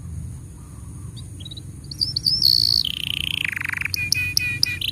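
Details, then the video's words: Canary tutor song for young and silent canaries: after a quiet start, scattered whistled notes lead into a long high steady tone, then a buzzy descending trill and repeated short chips. "Masteran Untuk Kenari Paud Dan Pancingan Kenari Macet Bunyi"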